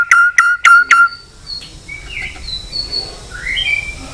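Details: White-rumped shama singing a long song meant to provoke fighting: four loud, evenly spaced whistled notes open the phrase, followed by fainter, thin whistles trailing off in the background.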